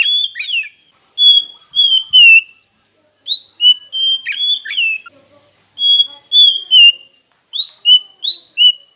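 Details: A lure song of an oriental magpie-robin, meant to provoke rival birds into singing: lively strings of loud whistled notes, some sliding up or down, mixed with a few harsh clicks, in near-continuous phrases.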